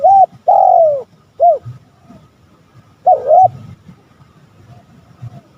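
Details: Spotted dove call used to draw rival males: two clear coos, one short and one long and drooping, then a brief note, and after a pause another double-humped coo over a low hum.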